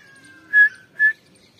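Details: Two short, loud whistles from a female grey francolin, recorded 29 November 2022, preceded by a faint drawn-out whistle.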